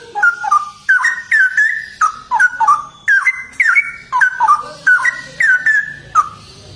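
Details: Straw-headed bulbul (cucak rowo) in full gacor ropel song: a continuous, rapid cascade of rich, warbling whistles. The notes leap up and slide down with barely any pause across the whole passage.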